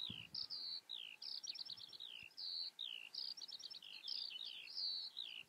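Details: Eurasian skylark song, a fast run of high chirps, short trills and falling slurred notes that flows on without a break, over a quiet rural background.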